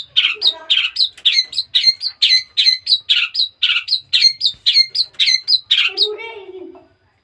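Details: Recently started singing, a young caged long-tailed shrike raised from a chick pours out a run of chattering, slurred notes in fast succession, ending with a lower drawn-out harsh rasping note.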